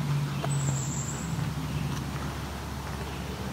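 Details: A steady low engine-like rumble and hum with faint traffic noise and a brief thin high tone; no animal voice stands out.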